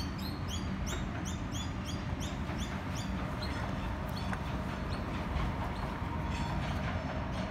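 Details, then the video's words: Noisy miner chick, recorded 28 December 2018 on an iPhone 6s; high, thin squeaky notes repeated quickly in the first few seconds, then fainter, over a loud steady rumble of background noise. "noisy miner chick"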